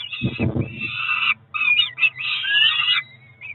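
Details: At a Cromer peregrine falcon nest on 2 June 2023, two ringed chicks around four weeks old beg at breakfast. A dull rumble of movement opens, followed by shrill, rasping squeals that rise and wobble in pitch.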